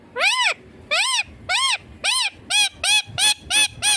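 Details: Green Indian ringneck parakeet, a pet in India said to talk in Hindi; loud harsh arched squawks with rich overtones, nine in four seconds, spacing tightening toward the end.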